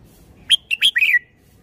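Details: Red-whiskered bulbul, a caged songbird, delivering a quick phrase of four liquid whistled notes, the last drawn out and slurring downward, with silence around it.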